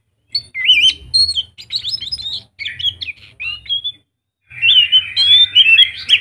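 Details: Scaly thrush (Zoothera dauma) singing a rich, rapid run of whistled and chattering phrases with brief pauses between bursts; a vigorous song used as a lure to set other thrushes singing.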